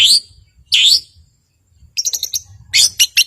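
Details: Caged long-tailed shrike kept to provoke silent birds, giving two loud harsh swooping notes, a pause, then rapid high trills and chips.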